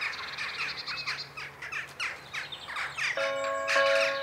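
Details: Jackdaw flock performing its daily evening sky ritual at Ringenberg; quick bursts of harsh chattering calls, then the 19:00 Protestant church bells begin ringing loudly over the birds after about three seconds.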